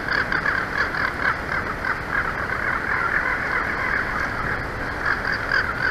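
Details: Bald eagles at the Big Bear Valley nest, recorded by a live nest cam on 2 April 2024 near noon: rapid, chattering high notes repeated steadily over a constant background hiss.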